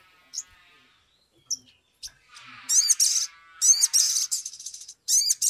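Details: Agitated Sumatran leafbird singing, meant as a lure to get birds singing quickly: a few sparse sharp high notes, then repeated bursts of downward-slurred, rasping high trills.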